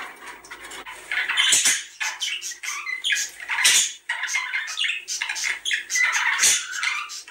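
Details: Budgerigar chatter meant to stimulate breeding: raspy warbling punctuated by loud squawks roughly every second or two, with short whistled notes and a low steady hum in the background.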